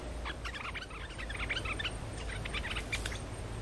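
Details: Streak-eared bulbul lure call meant to attract birds. Rapid bubbling chirps and clear short whistles come in tight clusters, with a faint high whine and low hum beneath.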